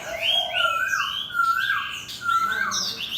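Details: Chinese hwamei competition bird in a cage beside a fighting bird, tail held open: clear, long whistled notes sliding down and up, separated by short pauses, pure and ringing.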